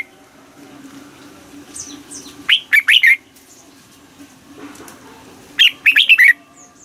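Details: Red-whiskered bulbul in Thailand singing in the southern master manner, used to excite caged birds: faint high notes, then two short bursts of quick rolling whistles several seconds apart over a steady low hum.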